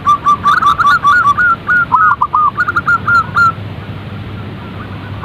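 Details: Zebra dove (Geopelia striata) gives a soft, rapid string of burry, staccato coos at mid pitch for about three seconds, with faint clicks over a low background hum.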